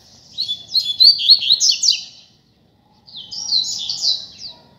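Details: Street-singing double-collared seedeater, free rather than caged, as a tutor model for learning: two loud phrases of quick, high, zigzagging whistles and buzzy slurs separated by a second of silence.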